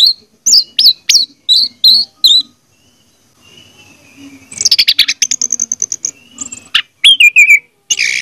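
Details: Orange-headed thrush song played as a lure for a silent bird: loud, clear whistled phrases in short repeated bursts, then a fast rattling series of sharp notes and a descending slurred whistle, with a faint low hum in the background.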